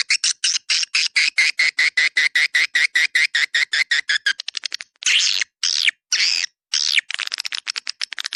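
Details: Swiftlet attraction sound called 'Dua Bidadari', meant to draw swiftlets in a swiftlet-house area: steady run of evenly spaced sharp chirps for about four seconds, then a few longer buzzy chatters and quicker ticking clicks.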